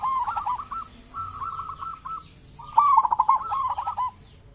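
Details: Vocal local zebra dove, its song used as bait to make other zebra doves sing: soft runs of quick coo notes, then a loud bubbling trill that rolls into a further string of evenly paced notes.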